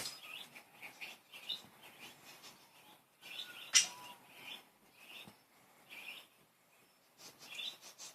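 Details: Playful pet budgerigars keeping up a steady stream of soft squeaky chirps and warbled notes, broken by one sudden sharp click-like squawk.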